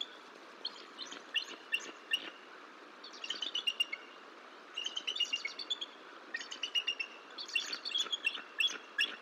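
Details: Nesting bald eagle pair at Decorah, the female vocalizing for relief from incubating two eggs and the male answering before a shift change; bursts of high, rapid piping chatter, notes tumbling in short runs separated by pauses.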